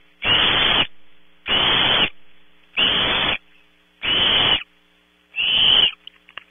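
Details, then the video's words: Barn owl owlets at Audubon Starr Ranch, California, competing for and eating prey at 3 a.m., one searching for scraps: five loud, rasping hissed screeches, each about half a second, evenly spaced just over a second apart. "Competition for and eating of 0300hr prey, #5 looks for scraps - Audubon Starr Ranch Barn Owls"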